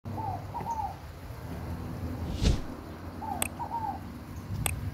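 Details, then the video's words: Scaled dove (rolinha fogo-apagou) singing in nature; faint paired mellow notes repeated twice, partly over steady low background noise with a few clicks. "o #canto da #rolinha #Fogo #Pagou"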